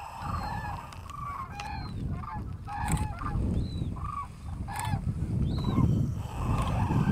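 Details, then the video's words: Common cranes during mass migration over the Strabrechtse heide heath, Netherlands, on 5 March 2013: many loud trumpeting, rolling calls from a flock overhead, repeated irregularly, over heavy low wind rumble. "Kraanvogels (Grus grus, Common Crane)"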